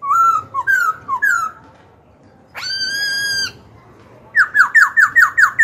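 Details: Black-throated Laughingthrush using song to provoke rivals and coach young birds. Slurred whistles, a silence, a long rich harmonic whistle held about a second, then a fast run of about eight sharp falling notes.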